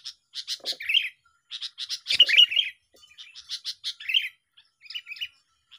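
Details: Sooty-headed bulbul song from a lively singing duel used to lure birds for trapping: bursts of sharp, bright chirps and short warbled phrases, with brief pauses between bursts.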